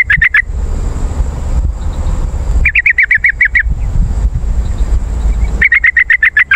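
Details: Yellow-vented bulbul call for attracting wild birds and getting caged birds to respond: three loud bursts of rapid, bubbly, chattering notes, the longer ones with about eight notes, separated by low rumbling background.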